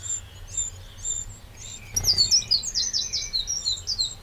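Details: Eurasian wren in a Burgundy garden, Châtillonnais, France, 31 May 2023: faint high notes, then a sudden loud, rapid run of very high trilled and warbled phrases.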